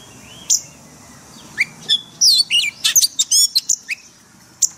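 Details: White-rumped shama singing in forest style for caged-bird training: scattered upslurred whistles, then a quick cluster of sharp high chips and whistled notes, ending with one lone note.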